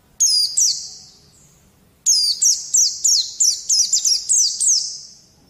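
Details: Training song for prompting young white-eyes to start singing. A single high chirp pair comes first, then a rapid run of about nine bright, down-slurred notes that trail off into a thin hiss.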